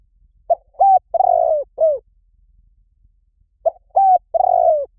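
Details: Spotted dove calling as a decoy to lure wild doves: a low, mellow coo phrase of two short notes followed by a long drawn coo, given twice with a short pause between, in quiet surroundings.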